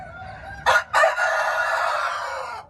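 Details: Crowing red junglefowl, close and clear: two quick harsh notes, then a long sustained rasping note of nearly two seconds that fades slightly at the end, over a faint low background.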